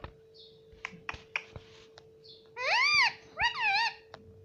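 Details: Pet Indian ringneck parakeet, a talking parrot indoors, repeating words: after a few soft clicks and taps come two bright, arched, harmonic utterances, each under a second, with a steady electrical hum underneath.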